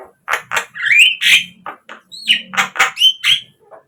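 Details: Javan myna song played as a lure to get captive birds singing: a jumbled run of harsh chattering notes mixed with clear rising whistles and squeaky slurred phrases, loud and rapid.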